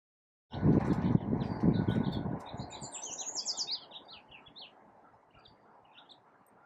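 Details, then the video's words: A yellow warbler sings in spring from a California pepper tree: a quick burst of bright, high, sweet notes that descends and trails off, over low rumbling noise at the start. "Singing Yellow Warbler"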